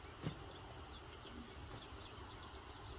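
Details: Indigo bunting, recently returned in spring, singing on a West Virginia morning, 8 June 2023: a faint, high, quick series of paired, slurred notes over a steady low rumble.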